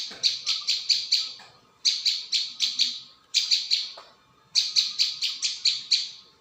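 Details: Rapid high-pitched chips from a prinia, used for luring birds, delivered in four tight bursts of five or six notes each with brief pauses between.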